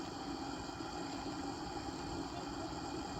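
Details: Continuous idling engine hum with steady low and mid rumble, no animal voices.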